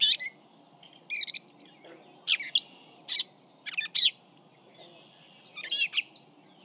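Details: Gray catbird about 40 feet away, recorded with a parabolic microphone, sings a jumbled run of short, varied squeaky and scratchy phrases with brief pauses between bursts, over a faint low background hum.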